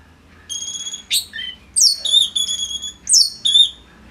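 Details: Orange-headed thrush, a tutor bird for other songbirds, delivering piercing sustained whistles with steady harmonics, broken by abrupt downward sweeps and rising squeaks, in a drawn-out varied phrase.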